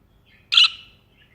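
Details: One loud, rasping, buzzy chirp from a budgerigar perched on someone's hand, fading into a faint trailing note.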